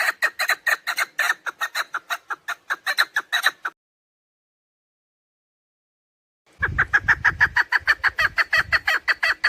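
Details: Hunting lure call of a female chukar partridge, a rapid run of raspy chuck notes in two bouts with a silent gap, low rumbling noise under the second bout.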